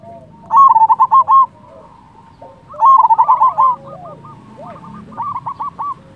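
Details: Loud-voiced local zebra dove, used as a lure to provoke rival doves into answering and to stir mating drive. It gives two bursts of rapid, staccato, hollow cooing notes, followed by a softer, broken series of similar coos.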